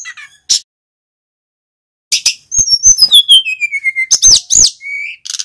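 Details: Male mountain flycatcher, recorded as a lure so other birds learn its song: a long series of high whistles stepping steadily downward, followed by sharp chirps and a rising trill.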